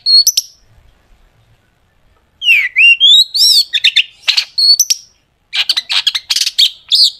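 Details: Long-tailed shrike singing hard with sharp rapid phrases, a lure to make shrikes sing: a brief chirp, a pause, then swooping whistles and squeaky slurs, and after a gap a quick burst of sharp chips.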